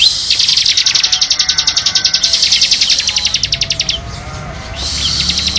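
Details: Bar-winged prinia song for masteran: a sustained high, dry, rapidly pulsed trill of about three to four beats per second that stops abruptly, then restarts after a brief pause.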